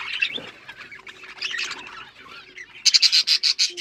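Australian parrots chatter in a busy mix of high, scratchy chirps, ending in a run of about eight loud, sharp squawks in quick succession.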